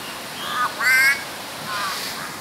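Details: A pair of yellow-faced mynas call in frog-like, harsh, nasal, croaking rasps; the male on the right calls louder and the female follows softly, each stretching its head with each call.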